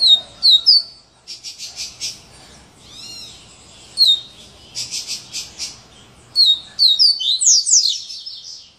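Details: Double-collared seedeater singing the "serra elétrica" song type: sharp high whistled slurs alternating with dense buzzy, saw-like bursts and rapid repeated notes, high-pitched throughout, with short pauses between phrases.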